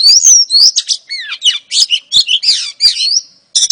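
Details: Female oriental magpie-robin calling to lure a male, pouring out a rapid medley of high whistles, upward slides, buzzy notes and sharp chips with hardly a pause, loud and close.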